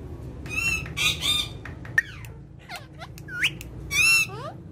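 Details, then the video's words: A family of talking parrots, playing and speaking in Urdu and Hindi, gives scattered harsh squawks, a sharp click, sliding whistles and a loud raspy burst near the end. "Gorgeous Talking Parrots Playing And Speaking In Urdu Hindi"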